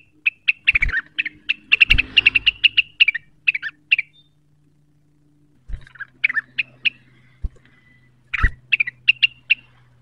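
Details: Cucak wilis singing energetically while seeking a rival, provoked by a lure call: bursts of bright, sharp chirps and short whistled notes packed closely together, a pause, then further clipped chattering phrases, with low thumps and a faint hum behind.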